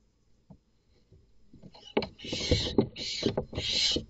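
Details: Inside a nest box a male barn owl, seeking the box as a roost, kills chicks he did not father. After near quiet and a few taps, three harsh hissing screeches burst out amid scuffling thuds.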